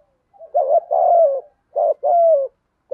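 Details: Cooing spotted dove, 'giọng thổ' style, delivering repeated two-part phrases: a broken lead note followed by a sustained, slightly falling coo, roughly one phrase per second and a half.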